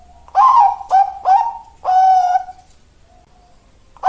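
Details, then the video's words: Zebra dove voicing its "malaikat maut" style song, described as suitable breeding stock: three quick rounded coos then one drawn-out level note, followed by silence and the start of another phrase. "perkurut suara malaikat maut"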